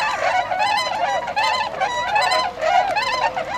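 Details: A wintering flock of tundra swans at Otakara-den flood pond, Azumino, Nagano, Japan, on 22 February 2013, heading out to feed in nearby rice fields before their northward migration, calls in overlapping, nasal, bugling hoots, steady and continuous.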